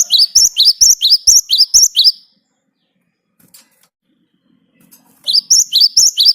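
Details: Great tit (Parus major) rolling song, played to coax other birds into singing: two bursts of rapid, high, ringing double notes, roughly two per second, with near silence between them.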